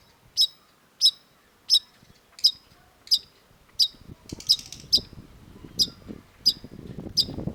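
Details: Cendet, the long-tailed shrike, repeating a crisp, high, ticking note at a steady pace of roughly one and a half per second; rough low background noise rises in the second half.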